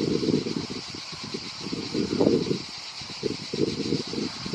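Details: European turtle dove in Croatia giving its deep, rolling purr in bursts of a second or so, over a steady high hiss of background noise; the finding is European turtle dove.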